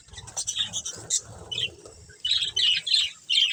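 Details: Budgerigar breeding pair: soft low murmuring chatter at first, then sharp high chirps in quick separate bursts during the second half.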